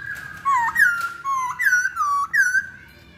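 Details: Chinese hwamei song used as a lure to trigger other birds to sing: loud whistled notes that slide and curl, rising and falling, in quick phrases of about five notes, with a quiet room behind.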